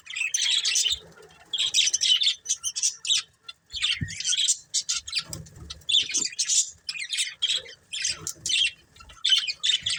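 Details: Budgies keep up bouts of scratchy, high warbled chirping, with bursts every second or so, irregular pauses and occasional squawky notes.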